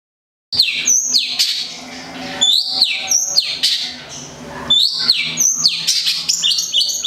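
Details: Local long-tailed shrike (cendet, plentet) from Gedong Songo, Central Java, a kept songbird, singing loud, varied high whistles with quick falling sweeps and sharp chirps in bursts, with short pauses between phrases.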